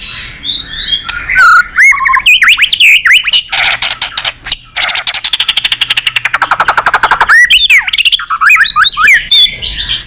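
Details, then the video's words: An excited, tail-flicking white-rumped shama sings a long, stream-like song of loud, rich whistles and sweeping notes, broken by a long, fast trill of rapidly repeated notes before the fluty phrases return. "Chòe lửa kéo dây suối dài"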